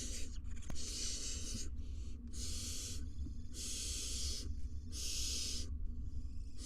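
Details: Barn owls at a live nest box cam in Israel, the male entering to interact gently beak-to-beak with nestlings while the female roosts outside; harsh, broad hissing bursts about a second long repeat several times over a steady low hum.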